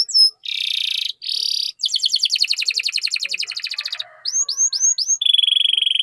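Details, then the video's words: Canary song used to stimulate other canaries to sing: high sustained whistles, a long fast rolling trill, then a run of rising chip notes and a steady high whistled tour. "Pancingan Burung Kenari Gacor Cuit Cuit Masteran Kenari Paud"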